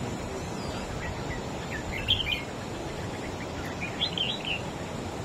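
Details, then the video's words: A wild-caught adult red-whiskered bulbul singing to beat a rival produces two separate short phrases of bright, rolling whistled notes a couple of seconds apart, with faint chirps between them over a droning background. "Chim Chào Mào Của A Tủa Hót Đấu Ché Đè Đối Phương Quá Khét."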